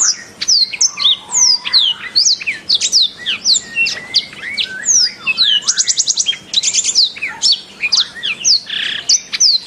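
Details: Canary song used to tutor kept birds into singing: a long, fast stream of high, sweeping chirps broken by rapid rattling trills of evenly repeated notes, plus whistled slurs, sustained without pause.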